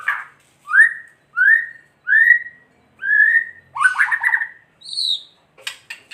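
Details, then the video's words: White-rumped shama in kretekan style, used to provoke rival shamas to sing. It gives a series of upslurred whistles about every 0.7 seconds, then a burst of buzzy chatter and a high clipped whistle. "Kretekan murai batu gacor AMPUH memancing murai batu agar EMOSI"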